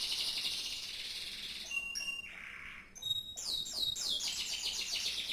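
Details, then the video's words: Canary song mixing a high buzzy trill, short pure whistled notes and a soft mid-pitched burr, then a fast series of high chopped notes. "kenari mirip sang legenda tc1"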